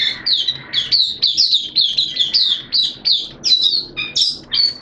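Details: Oriental white-eye kept as a caged hobby bird, in open 'buka' song on 11 September 2022, wet and erratic weather: rhythmic bursts of high warbled chirps, each phrase falling slightly, repeated quickly.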